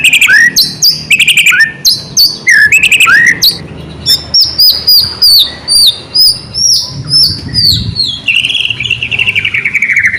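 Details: Energetic white-rumped shama song to spur other shamas to sing: loud, varied phrases of sliding whistles and sharp clicks, ending in a long descending whistled warble.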